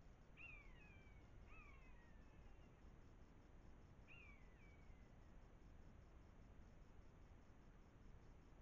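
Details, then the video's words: Quarrelling common buzzards at a wildlife camera, Eifel, Germany, in September 2024, give three plaintive down-slurred mews, the first two about a second apart, the third after a pause of two and a half seconds, over low steady rumble. "Mäusebussarde (Buteo buteo) streiten vor der Wildkamera"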